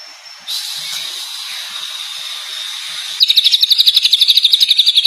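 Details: Chloropsis sonnerati, the greater green leafbird known as cucak ijo, a champion in rich 'gacor' song: a held high whistle running three seconds, broken into a rapid, regular, buzzy high trill against faint hiss.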